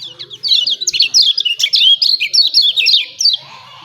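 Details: Lemon-bellied white-eye, recorded to prompt other birds into singing, giving a continuous fast twitter of high, sharply slurred chirps for nearly four seconds.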